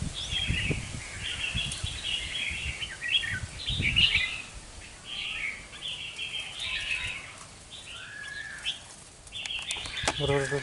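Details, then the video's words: Red-whiskered bulbul, wild-caught and two months in captivity, in a fanned-tail fighting display. Warbled whistled phrases come in repeated bursts over low knocks and handling thumps, ending in a rapid rattling sound. "Chào mào bổi 2 tháng đấu xoè"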